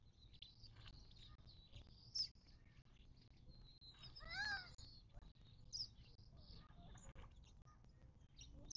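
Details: Desert birds at a watering hole in the western Mojave Desert, southern California, near Joshua Tree; a clear, stacked, chevron-shaped call near the middle and sharp high chirps scattered around it, over low background rumble.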